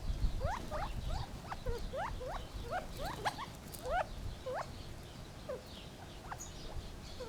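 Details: Gambel's quail chattering with a rapid series of brief, rising squeaks, densest in the first four seconds and then thinning to scattered single notes, against low background rumble.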